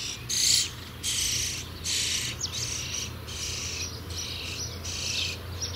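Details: Nestling common starlings, Sturnus vulgaris, soon to leave the nest, produce a run of loud, scratchy, broadband rasps. One bursts out strongly, then several steadier ones follow at roughly even intervals.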